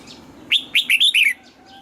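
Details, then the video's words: Red-whiskered bulbul singing a morning song of the 'âm kép già rừng' double-note style, used for voice training: a single quick phrase of about five clear, warbled whistles that bounce between mid and high pitch, then quiet background. "Luyện giọng cho chào mào hót sáng, ép chào mào hót âm kép già rừng hay tuyệt!"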